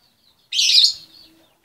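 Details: Female lovebird calling for the male: one loud harsh screech lasting about half a second, trailing into a faint lower tail.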